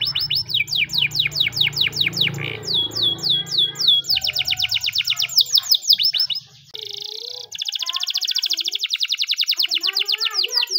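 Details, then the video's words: Canary singing a morning training song: fast series of descending whistled notes, then a brief pause and a long stretch of rapid high trilled rolls, steady and bright. "the best canary training song in the morning!! champion canary master"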